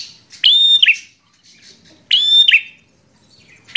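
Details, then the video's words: An aggressive fighting bar-winged prinia gives two loud scratchy double-chirp phrases about 1.7 seconds apart, each a bright ringing note ending in a harsh rasp, and a third phrase begins at the end. "Prenjak Petarung Gacor Emosian"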